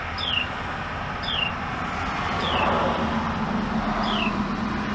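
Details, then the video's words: A noisy mother Carolina wren feeding her young outside a bedroom window gives short, high, downslurred chip notes about every second or so, over a steady hum of traffic-like background noise. "Noisy Mama Carolina Wren Feeding Her Babies"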